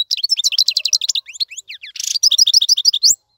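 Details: Goldfinch singing to teach fledglings, a lively stream of rapid high twitters, trills and rising notes interrupted by a short harsh buzzy burst midway.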